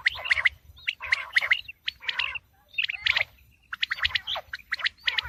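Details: Quail calls for the coming wheat season: bursts of harsh, buzzy chirps in short clusters, several overlapping, separated by brief pauses, with a few thin whistled notes between.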